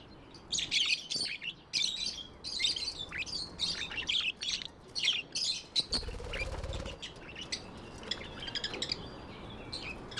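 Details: Budgies kept as pets give bursts of high warbling chirps, followed by a noisy flutter or rustle and then softer chatter.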